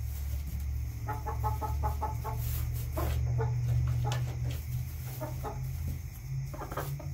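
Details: Backyard chickens give rapid runs of short harmonic clucks, about three per second, then scattered clucks, over a strong low droning hum.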